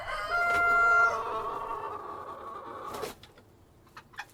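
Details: Cockerel among hens giving a long, harmonic crow that holds a drawn-out, slightly falling note for nearly three seconds, then cuts off, followed by a few faint clicks.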